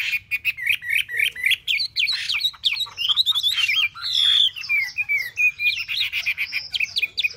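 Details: A caged Chinese hwamei, kept about three months in a cage, pours out a loud, varied song of rich whistles, slurred rising and falling notes and rapid chattering phrases, nearly continuous throughout.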